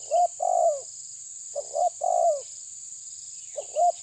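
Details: Spotted dove of the type known locally as tabir, pressing a rival: low, soft three-part coos, a short note, a pause, then a long falling coo, repeated about every two seconds over a steady high-pitched insect whine.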